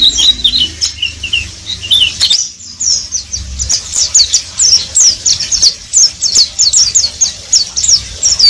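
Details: Oriental white-eye in steady ngeriwik song, a dense stream of very high, thin chirps and slurred notes repeated several times a second, with a brief lull near the start.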